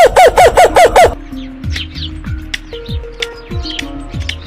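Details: Laughing kookaburra (Dacelo novaeguineae) laugh: a quick burst of five loud, hoarse, rhythmic cackling notes, then soft background music takes over.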